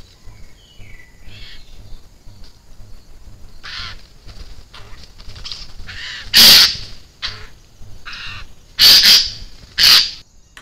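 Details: Eurasian jays caught by a trail camera on 16 June 2021: three loud, harsh rasping screeches stand out late in the recording, with softer hoarse calls and a steady background hum before them.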